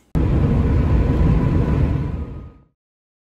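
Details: A sudden loud burst of wind rumble on the microphone, which cuts off into silence.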